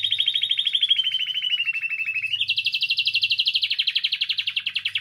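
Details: Canary in full song to stimulate other canaries: a rapid trill gliding slowly downward, then a jump to a higher, equally fast rolling trill that carries on steadily, with a faint hum below.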